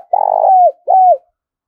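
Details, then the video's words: Spotted dove coo used to stir wild doves and train decoys: a long rough burred note sliding down at its end, followed by one clear hooked coo that drops in pitch, with no background sound. "tiếng cu gáy kích bổi nhanh nổi xiêng gáy và tập mồi rất hiệu quả"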